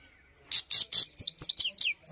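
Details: Himalayan goldfinch in clean-voiced song: three harsh buzzy bursts followed by a run of sharp, high, downward-sweeping twittered notes in quick succession.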